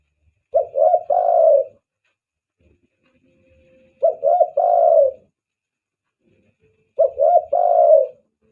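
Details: Spotted dove calling on a lure recording for attracting doves, banggo style: three identical coo phrases, short stuttered opening notes then a long falling coo, every three seconds with silence between.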